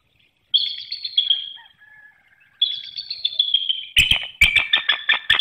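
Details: Mated bald eagles exchanging calls at a nest with eggs in Hanover, Pennsylvania, early morning on 18 March 2019. Two drawn-out, slightly falling squealing whistles, then a burst of rapid sharp staccato chatter.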